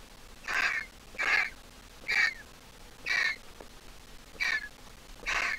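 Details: Nearly fledged griffon vulture chick, originating from the Jerusalem Biblical Zoo, giving a steady series of six rasping squeaks, roughly one per second, each brief with a slight downward slur; quiet surroundings.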